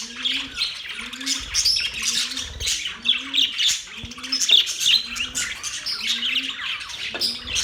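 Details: Mating budgerigars chattering: continuous high, buzzy warbles and chirps overlapping from several birds, while a soft, low, bowed tone repeats under them about every 0.8 seconds.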